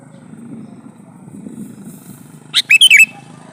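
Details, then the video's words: Sooty-headed bulbul male calling for a female gives a short, clear burst of quick liquid whistled notes after a stretch of low rumbling background noise. "suara burung kutilang jantan memanggil betina jadikan burung kutilang nyaut gacor"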